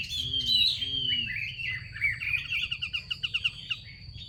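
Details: Female Chinese hwamei calling to urge males into song, giving a quick warbled phrase that breaks into a run of short clipped notes, over steady electrical hum.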